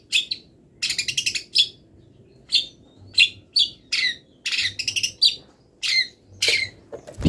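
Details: Long-tailed shrike not yet finished moulting, singing a training song filled with imitations of wild birds: short bright chattering bursts, high and scratchy, repeated about every second with brief pauses between.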